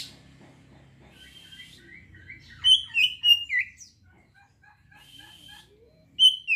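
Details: Oriental magpie-robin song played to provoke arousal and fighting spirit in untrained birds. Soft faint notes open, then a loud run of rich whistled, slurred phrases midway, a pause of quieter chips, and a sharp whistle at the end.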